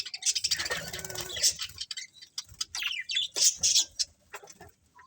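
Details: Busy budgerigar colony chatter: rapid, overlapping high chirps and raspy notes, about three per second, with a noisy rustling burst near the start.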